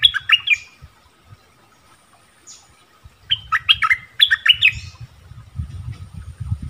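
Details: Orange-bellied flowerpecker lure song: a few sharp falling chirps, a pause, then two more clusters of bright, high, downslurred notes over steady low rumbling noise.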